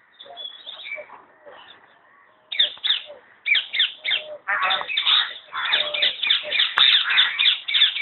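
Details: Talking common hill myna kept at Alipore Zoo Garden in Kolkata, West Bengal, India: soft, broken squeaky notes at first, then loud, rapid speech-like chatter with whistled and rasping syllables in quick bursts.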